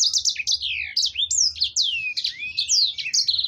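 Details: Canary in lively continuous song, used as a lure to make birds sing: fast tumbling high whistles, long sweeping slurs up and down and quick chirps run without pause. Faint low rumble beneath.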